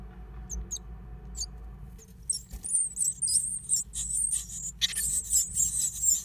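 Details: Great tit nesting in an old stove. A few faint high squeaks open, then a loud, continuous shrill chattering of overlapping high-pitched squeals fills the rest.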